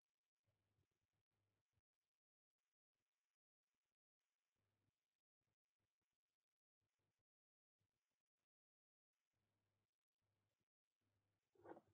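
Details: Near silence, with only faint low hum and a few soft bumps and scrapes, and no animal calls.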